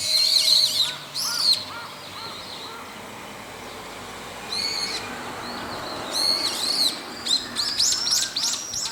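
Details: Several Brown-eared Bulbuls calling in the daytime with about four call types: loud, shrill, squealing calls in scattered bursts, some rising and falling sharply, with a few soft, low hollow notes early on.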